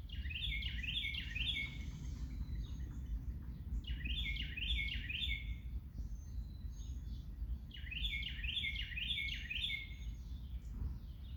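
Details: Singing bird outdoors: a short phrase of rapid descending whistled notes repeated three times, roughly every four seconds, against constant low-pitched background rumble.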